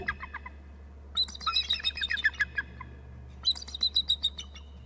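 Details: A pair of eagles calling at the nest area, one adult perched on a branch low on the left side of the nest tree, recorded live by a nest camera on March 9; rapid high chattering trills in two bursts of repeated staccato notes.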